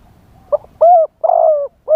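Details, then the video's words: Decoy spotted dove singing live in wild-style phrasing to lure wild doves: two short soft notes, then two long, deep, hollow coos that bend slightly downward, over a quiet low rumble. "เสียงต่อนกเขาใหญ่ คารมป่า 100 % ต่อสด"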